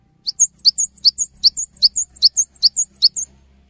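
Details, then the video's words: Cinereous tit in full song, played to prompt other tits into singing; high, piercing paired notes repeated steadily about every 0.4 seconds, roughly eight phrases, with a faint low hum beneath. "GELATIK BATU GACOR | Bikin Gelatik Lain Cepat Terangsang Untuk Ikutan Bunyi"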